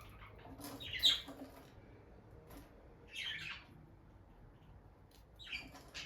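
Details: Bonded peach-faced lovebird pair near the nest box, sharing quiet moments; scattered sharp squeaky chirps in three brief bursts separated by quiet spells.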